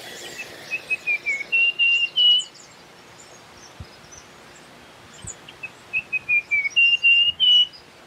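A Russet-crowned warbler gives two bursts of high, clear whistled notes, each a quick series of about eight notes stepping upward, with soft background hiss between.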